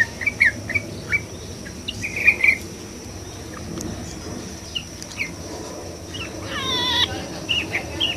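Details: Yellow-vented bulbul singing above water, giving short bubbly, chirping phrases in scattered bursts every second or two, over a steady high insect hiss and faint background noise.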